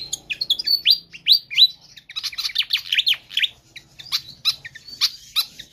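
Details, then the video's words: Energetic Pied fantail song used for training or luring other birds: opening with loud upward-swept whistles, then a busy stream of sharp chirps and ticking notes, with scattered high clicks near the end. "Sikatan Kipas GACOR Ngotot"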